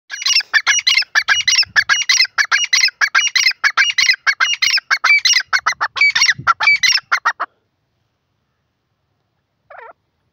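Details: Grey francolin, said to be a female, giving a fast run of harsh, scratchy, high notes for about seven seconds, then a short pause and one faint extra note.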